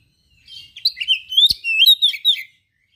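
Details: Kacer, an oriental magpie-robin, in full gacor song stuffed with rare learned material: a continuous rapid run of varied twittering whistles, slurred upward and downward notes and short chirps.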